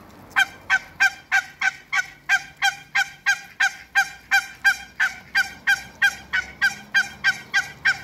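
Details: African geese, two pairs, meeting Muscovy ducks: a steady run of loud, nasal honks, about three per second, each a short harsh blare repeated evenly for the whole stretch.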